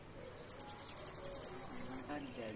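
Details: Bananaquit singing in the Pernalonga style: a fast, high-pitched run of short notes lasting about a second, finishing with three stronger, longer squeaky notes; faint low murmurs underneath and a soft sound after the phrase ends.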